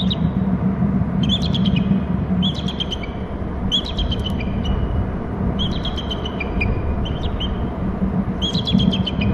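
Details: Bald eagle at a nest and territory on Hornby Island, giving trills: bursts of high, thin, stuttering piping notes repeated roughly every one to one and a half seconds over steady low rumbling background noise.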